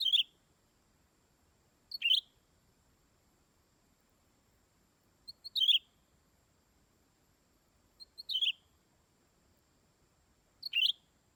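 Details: Greater green leafbird calling in five short, high chirping bursts spaced two to three seconds apart. Each burst is a few quick squeaky notes over an otherwise silent background.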